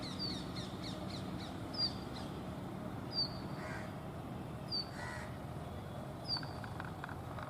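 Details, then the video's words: A Brown Rock Chat at Tibbi, Hanumangarh, Rajasthan, India, in 2019, calls slowly and continuously while dancing: sharp, high, down-slurred whistles about every one and a half seconds after a quick run of short notes, over a low rumble. "Indian Rock chat 2।। Indian Birds videos।। calling and dancing"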